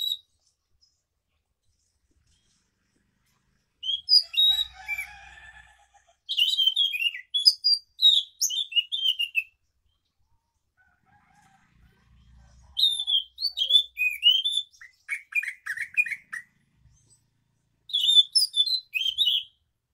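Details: Scaly thrush singing ngeroll in the morning: four separate bursts of rapid, high twittering and whistled phrases, the longer ones about three seconds, with quiet pauses between, plus a faint low rumble in the background.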